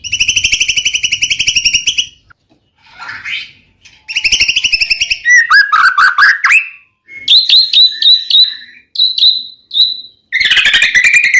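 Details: White-rumped shama singing to rouse silent males: long buzzy rattles alternate with swooping whistles, short upslurred notes repeated several times, and a final harsh rattle.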